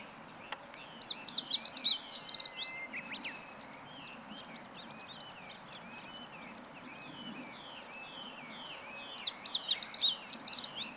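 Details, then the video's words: Two short, high-pitched song phrases from a meadow bunting, 20 March 2015, each a fast cluster of piercing twittering notes, separated by several seconds of softer background chirping from other birds. "囀るホオジロ hoojiro - Meadow Bunting"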